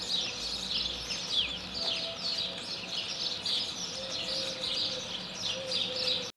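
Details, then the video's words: Starling song recorded in Moldova, an improvised jazz-solo style medley of rapid chirps, downslurred whistles and buzzy rattles in dense, unbroken bursts, with a faint steady tone and low rumble underneath. "jazz solo and improvisation from a European Starling - Graur - Sturnus vulgaris"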